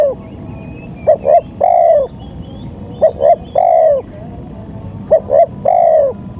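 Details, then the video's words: Spotted dove lure cooing for wild-bird trapping: three phrases, each a pair of short hoots then a long falling coo, evenly spaced over a low background drone. "Pancingan suara tekukur"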